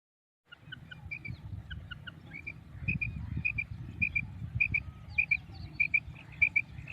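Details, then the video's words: Female quail calling with high paired whistled notes repeated roughly every 0.6 seconds over a loud low rumbling background noise. "Madi Batair Ki Awaz 2026 , Female Quail Sound Effect , Madi Batair Ki Original Awaz"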